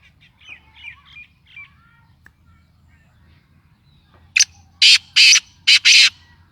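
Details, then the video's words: Kala tetar, or black francolin, giving its grating call: after faint chirps of small birds and a soft low hum, a quick series of five loud, harsh, buzzy notes spread over about two seconds, uneven in length. "Sindhi mast Kala Tetar Awaz"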